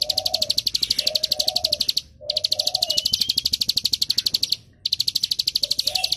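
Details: A mountain prinia (ciblek gunung) gives its 'keteran' song, a fast, dry ticking rattle of high, evenly spaced notes broken by two brief pauses, with faint lower warbling notes underneath.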